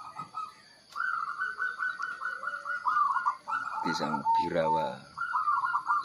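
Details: Caged zebra dove (perkutut) in a morning singing session before a contest, one bird calling continuously while the others stay silent: a quick run of soft, mid-pitched cooing notes, about five per second, then another burst, with a fowl-like cluck and a steady high hum.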